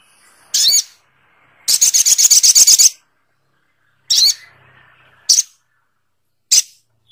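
Sogok ontong bird giving harsh, high, scratchy notes, single calls spaced a second or more apart, plus one fast chattering rattle of about a dozen notes.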